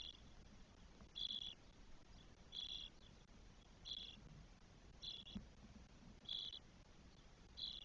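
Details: Twelve-day-old spotless starling young, four in the nest, Spain, 1 June 2022, give six or seven brief raspy hisses at irregular intervals of about one to one and a half seconds; faint low background noise.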